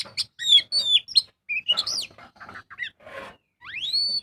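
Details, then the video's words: Oriental magpie-robin lure song in the ngobra style: sharp high whistles and downslurred notes, some raspy chatter, ending in a long rising then level whistle. "Pancingan burung kacer gacor full ngobra"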